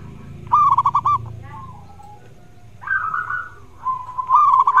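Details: Song of a vocal zebra dove meant to prompt quiet doves to answer: a quick run of crisp, bubbling coo pulses, a softer sliding note, then a longer wavering coo and another rapid pulsed phrase at the end.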